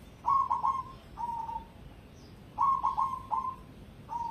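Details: Cemani zebra dove (perkutut) of contest standard singing repeated phrases: three or four clipped stuttering notes running into a longer level coo, with separate single coos between.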